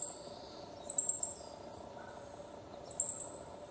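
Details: Juvenile meadow bunting giving its everyday calls: thin, very high chips in short quick clusters, one burst near the first second, a brief one after, and another near three seconds, over a faint steady low hum.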